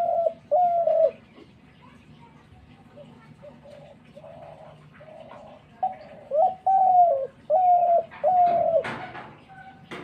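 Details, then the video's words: Series of low, hollow dove coos, several drawn-out notes bending downward, given in uneven phrases with pauses between, and a brief burst of other noise near the end. "ঘুঘু পাখির ডাক।Gugu pakhir Dak"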